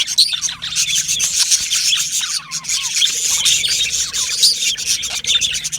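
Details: Aviary of yellow male budgerigars, Australian parrots, chattering nonstop: thick high-pitched chirping with many short downward-sliding squeaks and squawks layered over one another.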